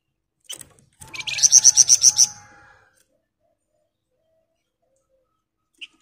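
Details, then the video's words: Sunda bush warbler giving one dense 'ngebren' rattle: a fast run of about eight sharp buzzy pulses lasting just over a second, then mostly silence with a single soft click near the end. "Burung Flamboyan Gacor Ngebren Rapat"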